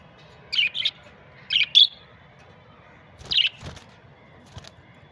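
A budgerigar gives short, scratchy chirps in a few quick bursts, with pauses between them.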